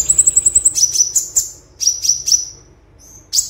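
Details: Olive-backed sunbird 'tembakan' tutor song: a quick run of seven thin, very high ticks, then a spaced series of sharp descending chips and a faint high whistle.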